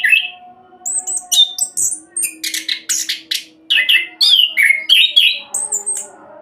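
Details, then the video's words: Fast 'roll' song of an orange-headed thrush used to coax other birds into song: opening whistle, then a steady sequence of buzzy notes and downslurred whistled phrases, with a humming background. "Anis Kembang Roll Cocok buat Pancingan agar cepat bunyi"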